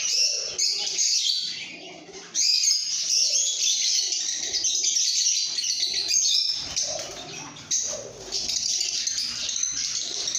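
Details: Continuous high-pitched lovebird chirping, shrill twitters and squeaky notes crowding together in a steady chorus, with short lulls and sudden louder bursts throughout.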